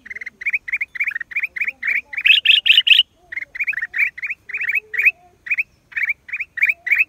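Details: Black-crested bulbul, recorded April 2023: a rapid run of short, bright, clipped notes repeated three to four times a second, with a louder, harsher burst of notes midway and faint lower whistles from other birds beneath.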